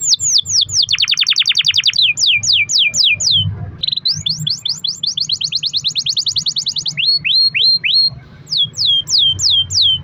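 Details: Long-rolling canary song, meant to spur other canaries into singing: fast series of steep descending whistles, a rapid stuttering trill, further swept notes, brief flat whistles and more descending sweeps, with a faint low hum beneath.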